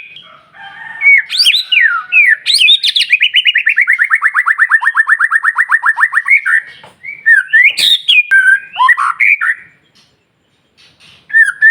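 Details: White-rumped shama song aimed at provoking rival shamas: sharp opening notes, a long rapid rattle of over thirty repeated descending notes, then cracking whistled phrases and a pause.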